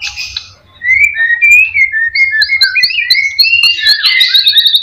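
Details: Caged white-rumped shama played to provoke other birds into singing: loud, varied whistled phrases rising and falling, with rapid slurred notes building into a dense, repeated high trill at the end.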